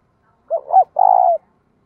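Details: ['Spotted dove decoy cooing daily to draw in wild doves, giọng thổ style: a quick double-humped coo followed by one long, vibrating, level coo that tails off downward.']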